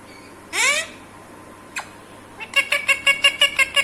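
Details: Talking Alexandrine parakeet kept as a pet, asking for a kiss in Hindi or Urdu: one loud rising screech, a brief click, then a rapid even series of about ten nasal chattering syllables.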